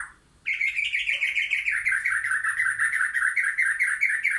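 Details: White-rumped shama in a backyard forest where wild and caged birds gather; a fast run of harsh, buzzy notes repeated steadily, about two per second, after a soft opening note.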